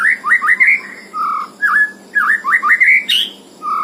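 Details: White-rumped shama singing a full 'isian' song outside its cage: clear, sweet whistled notes that slur upward in quick runs, with short lower whistles in between and one sharp higher note near the end.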